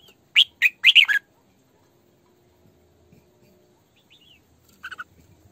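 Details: Decoy female Red-whiskered bulbul giving sổ bọng căng song, meant for training and luring bulbuls: a loud, rapid phrase of four ringing, chirpy notes, then near silence and a fainter short phrase at the end.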